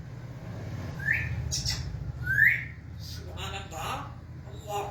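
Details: Grey parrot talking, giving two rising whistled notes in quick succession, followed by softer speech-like mimicry over a steady low hum.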